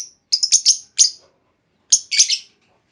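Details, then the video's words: Female lovebird call used to draw long trilling from other lovebirds; a quick run of shrill chirps, a single sharp note, a pause, then a further group of harsh squeaky notes. "Pancingan Burung Lovebird Betina! Bakal Langsung Respon Lovebird Segala Kondisi Auto Ngekek Panjang"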